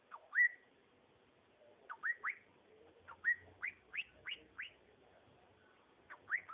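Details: Cockatiel singing in short rising whistled phrases, upslurred notes delivered in loose groups of two to five, with quiet pauses between bursts.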